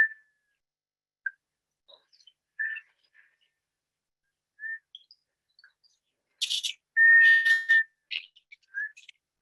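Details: Black scoter (Melanitta americana) song: soft, scattered whistled notes, then a louder, drawn-out plaintive whistle mixed with a rougher burst near the end.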